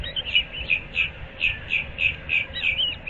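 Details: Osprey calling at its nest in Moorings Park, Naples, Florida, at dawn on 15 April 2024: loud, piping whistled chirps repeated about three to four times a second in a steady series, faint low hum behind.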